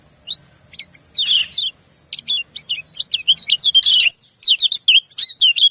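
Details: Female white-eye calling to a male, the two answering each other. Quick high chirps, first scattered, then crowded into dense runs of short downslurred and hooked notes after the middle, with a steady high hiss throughout.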